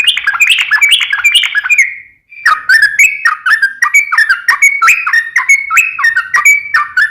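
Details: Active song of a yellow-vented bulbul (trucukan). A bright three-part whistled phrase repeats, then after a brief gap comes a long string of rapid dropping whistles, steady and clear.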